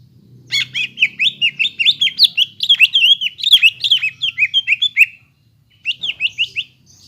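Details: Greater green leafbird song used to bring a quiet caged bird back to song: varied buzzy, twisting warbled notes in a long rapid phrase, a pause, then a short closing burst.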